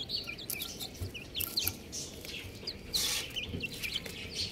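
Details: A brood of baby chickens cheeping continuously, bright high notes that drop sharply in pitch, overlapping from several birds, with brief louder rustling bursts and a low steady background hiss.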